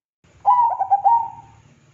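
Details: Lure song of a zebra dove for prompting other doves to sing: a stuttering series of mellow coos resolving into one drawn-out note, roughly a second long, with a steady low hum underneath.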